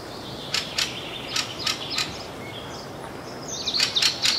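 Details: Fieldfare calling in northern Sweden on June 6, 2022, perhaps partly in alarm: rasping, clipped chack notes in short irregular series, a brief thin whistle midway, over a constant outdoor hiss.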